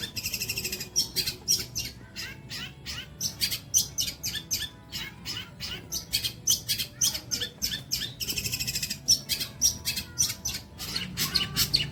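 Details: Training material for songbirds from a long-tailed shrike: a long string of rapid, high, clicking and chirping notes delivered almost without a break, with brief buzzy rattles.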